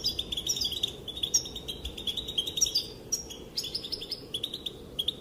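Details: Calls of a female European goldfinch, meant to make males dance: a continuous high, tinkling twitter with rapid liquid notes and brief buzzy accents, running almost without pause.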